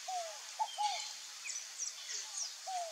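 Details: Wild scaled dove from Brazil repeating its low, paired coos, a clipped first note and a longer falling second, several pairs in three seconds. Other birds twitter faintly higher up over constant insect hum.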